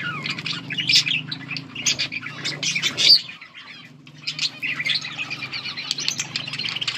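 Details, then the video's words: Budgerigars chirping and singing: a busy stream of high, scratchy warbling chirps and short squeaks from several birds, with a brief pause midway before the chatter resumes. "Budgies chirping and singing"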